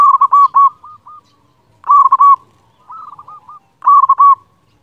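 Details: Strong-voiced local zebra dove singing often, used to provoke song and arousal in quiet doves: loud clipped coo phrases roughly every two seconds, with softer rolling coo trills between them.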